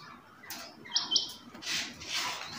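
A female rain quail calls with two quick, high, metallic notes, followed by soft hissing, rushing bursts of noise.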